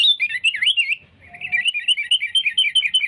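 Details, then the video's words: Sooty-headed bulbul singing a continuous stream of wavering, warbled whistles, briefly dipping then resuming, in a recording meant to lure rival bulbuls for trapping. "suara kutilang gacor cari musuh‼️ampuh untuk pikat dan pancingan"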